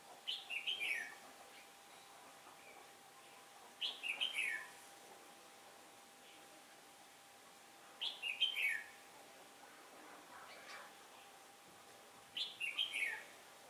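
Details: Red-whiskered bulbul used as a trapping decoy, singing in competition to draw wild birds, on a day of changing wind: four short warbled phrases of bright slurred notes, repeated roughly every four seconds, with a faint steady hum beneath.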